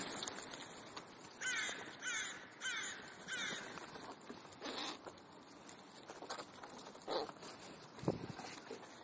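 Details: Afternoon crow gathering in Clara Zetkin Park, Leipzig: a run of four rasping caws in quick rhythm, then scattered fainter calls and clicks among rustling park noise.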